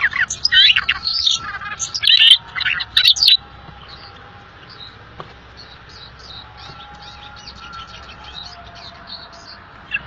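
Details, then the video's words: Little fellow, a rare bird, sings briskly as tutor material for pet songbirds: three seconds of loud, quick high chirps and trills, followed by faint, evenly spaced soft notes. "MASTERAN GACOR "little fellow"BURUNG LANGKA"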